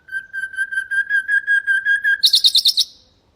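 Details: Common nightingale song used for training goldfinches and canaries to sing: a rapid series of repeated pure notes held on one pitch, about three per second, then a burst of higher, harsher rattled notes near the end.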